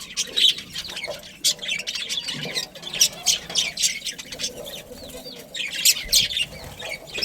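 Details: Kept budgerigars, breeding pairs and their family in a colony, keep up continuous high twittering: scratchy chirps, curling whistled notes and brief squawks piling over one another, louder around the middle and near the end.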